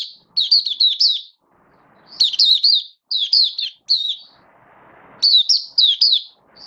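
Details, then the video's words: Hobby-kept oriental white-eye (mata puteh), 19 September 2022: lively high twittering song in clusters of three to five quick slurred notes, broken by brief pauses and faint background noise. "Mata Puteh V2 Raja Buka Sing Build Up Form"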